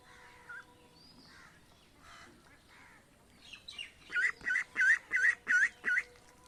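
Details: Ducks and ducklings of an Indian village making their way to the pond: faint scattered calls, then a run of six strong, nasal, evenly repeated quacks about three per second.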